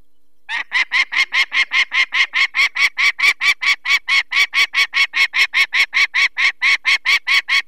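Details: Adult peregrine falcon calling in alarm at its nest in the Barycz Valley on 2 May 2023 while people remove one of its four chicks. Loud, strident kek notes repeat at a fast, very even rate, about four per second, without a break.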